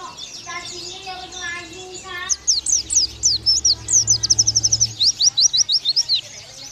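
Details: Oriental white-eye 'nembak' song, recorded as a master for young birds: a soft lower warbling sound opens, then rapid, high, sharp chirps follow in a steady quick series.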